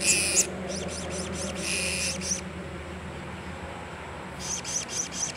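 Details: Blue-crowned hanging parrot calling solo, recorded 26 October 2017: bursts of very high, thin, sharp chirps run in quick series, with a quiet gap before a final rapid string. A low steady hum sits underneath.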